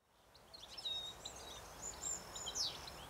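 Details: Male European goldfinch in early September 2017 at Richmond Lowlands, NSW, in a weedy roadside area within farmland: faint, high, tinkling twitters, quick chirps and short slurred notes over three seconds, against soft outdoor hiss.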